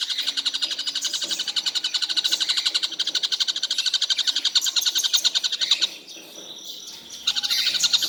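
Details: Tengkek buto kingfisher calling nonstop through the day: a long, rapid series of shrill repeated notes for about six seconds, a short gap with scattered softer sounds, then the series starts again.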